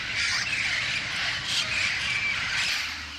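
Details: A small flock of yellow-headed amazons, including a young bird, playing at a dawn roost, gives harsh, broad squawks in overlapping bursts about once a second, with a few thin whistled notes between them.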